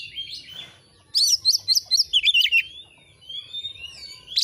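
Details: Tutor recording of an Oriental magpie-robin singing to excite birds into display: a soft warble, a short pause, then a fast series of about ten bright wavering whistled notes, fading into quieter thin whistles.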